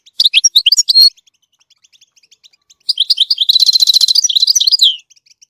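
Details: Goldfinch singing to teach chicks: a burst of bright, varied twittering notes, a pause with faint high ticks, then a longer phrase with a buzzy, rapidly repeated middle section and tinkling notes.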